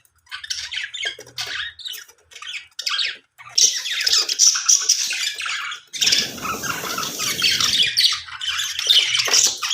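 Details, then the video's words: High, chattering squawks from budgerigars in an aviary. A loud, low rustling or flapping burst occurs partway through, then the chatter resumes. "Budgies aviary birds sounds|budgies sounds"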